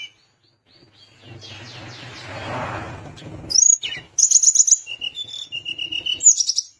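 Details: Lively Sunda minivet song intended to set off rival birds: after a rushing noise, bursts of high pulsed trills alternate with steady mid-pitched whistles, ending on another rapid high trill.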